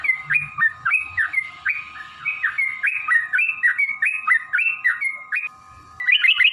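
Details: Sooty-headed bulbul song used to lure and excite caged birds to sing: a long run of rapid bubbly whistled phrases, each a dipping then rising note pair, with a brief pause before a higher burst at the end.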